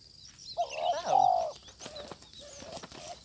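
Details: Spotted dove during a lure session with a decoy, a fierce wild bird answering: one low phrase of a short coo then a longer drawn-out croo, followed by faint softer coos and a thin high insect hiss.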